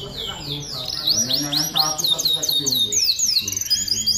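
A canary sings a fast, high, continuous song of rolling trills and quick up-and-down whistled sweeps, with faint low voices in the background.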